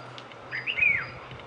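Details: A rufous-throated partridge in Himalayan forest in Uttarakhand, India, gives a single clear, plaintive whistle that rises, holds, and slurs down over about half a second, with a faint low hum behind it.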